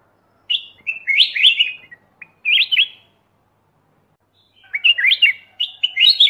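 A Black-crested Bulbul gives bubbly, warbled phrases of quick rising and falling notes in two bursts about two seconds long, with a pause between them.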